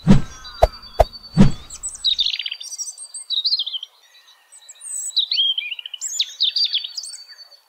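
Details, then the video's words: European robin singing in nature: after a few loud low thumps, high thin phrases of quick twittering notes and a long steady whistle, broken by a short pause before another varied burst of trills. "Beautiful voice from Robin"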